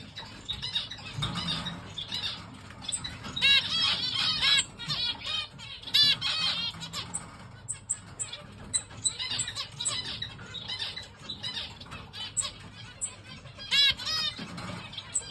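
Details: A pair of black-cheeked zebra finches give busy, nasal beeping calls, overlapping in quick bursts like tiny toy horns.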